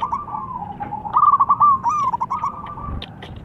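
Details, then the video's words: Young local zebra dove with a thick voice, used as a lure for doves, giving a long rolling coo that rises into a louder stuttering trill, then fades into softer pulsed notes, with faint clicks and low hum behind. "ANAK PERKUTUT LOKAL GACOR SUARA TEBAL"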